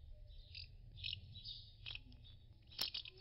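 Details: House martins (Delichon urbicum) at nests settling down to roost, some moving between nests, give soft, dry, high twittery chirrups in quick bursts every half second or so, over a low background rumble.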